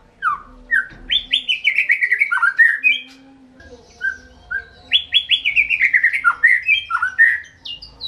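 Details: Two phrases of white-rumped shama song, each a rapid chain of loud whistled notes gliding downward, with a pause and soft separate whistles between them, plus faint low rumble in the background.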